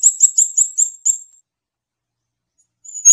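A Scarlet-backed Flowerpecker gives six very high, thin ticking notes in about a second, then pauses before one more sharp note.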